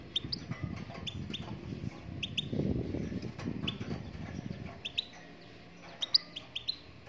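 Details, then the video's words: High, sharp, rising notes come from a Moroccan goldfinch in song, scattered in twos and threes across the stretch. A steady low rumble runs underneath, louder in the middle. "Chardonneret marocaine chante"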